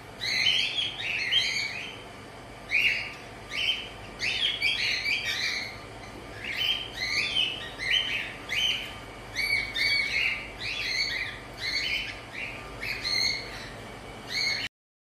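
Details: A cockatiel during mating gives rapid, repeated chirps and harsh warbling phrases in bursts about every second, high and scratchy, with a faint steady hum underneath.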